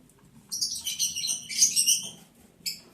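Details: Breeding lovebirds on day 11, while mating, July 11, 2022: a continuous, buzzy, high chattering warble for about a second and a half, then a lone sharp chirp, over a low hum.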